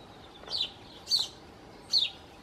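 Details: Four song thrush nestlings begging at the nest while both parents bring food, during days of extreme heat and drought, one parent keeping watch; three thin, high squeaky calls about 0.7 seconds apart over quiet background.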